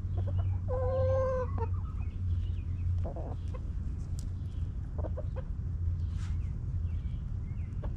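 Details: Backyard hen in a coop gives one drawn-out, nasal, harmonic call lasting under a second, followed by scattered short clucks and clicks against a continuous low hum.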